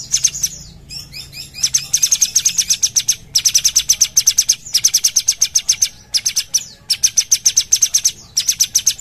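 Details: Sumatran bulbul singing vigorously, bursts of rapid, high, sharp chirps repeated in quick trains, separated by brief pauses, with a few descending slurred notes at the start.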